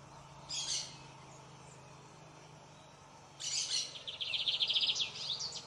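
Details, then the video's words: A lined seedeater, a Brazilian bird of open fields, shrubby clearings and tall grass near water, sings a brief high buzzy note, then a longer run of fast, bright trilled and chattering phrases over faint steady hum. "Canto de bigodinho"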